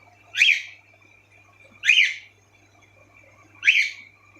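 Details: Pet cockatiels, several kept together indoors, calling. Three loud harsh rising-falling chirps spaced about one and a half seconds apart over a steady faint hum.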